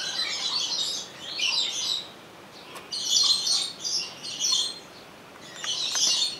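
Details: Captive rainbow lorikeet at Opole Zoo, taped with a Sony HDR-XR160E: rapid clusters of high, grating chirps and screeches, some bursts running together for about a second, separated by short pauses.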